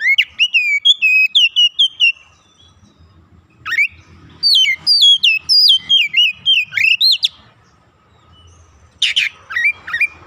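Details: Young oriental magpie-robin being trained, in full active song and showing its learned fill-in phrases. Rapid series of descending whistled notes, then a second run of looping whistles and chips, a short silence, and a final rising burst.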